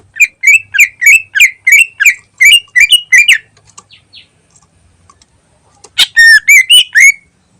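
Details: Greater green leafbird in lively chattering form used as a lure: a steady series of about a dozen sharp repeated chirps, several per second, a short pause, then a loud burst of rich rising and falling whistles.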